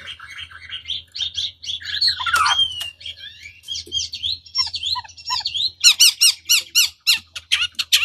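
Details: Chinese hwamei song for provoking rival birds to respond: varied harsh squawks and chattering notes, then a burst of rapid, sharp repeated whistled chips in the last two seconds.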